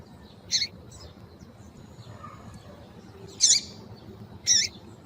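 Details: A female double-collared seedeater (Sporophila caerulescens), whose call is used to stimulate males to sing, gives three short, harsh, high-pitched chip notes at uneven intervals over a faint low background hiss.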